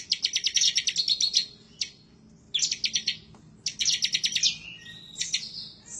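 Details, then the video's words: Bar-winged prinia of the 'semi' type, chattering excitedly while seeking a rival, used as a tutor recording to make birds sing. High rapid ticking notes in dense bursts of about a second, separated by short pauses. "Ciblek Semi, Gacor nembak ngebren ngotot emosi"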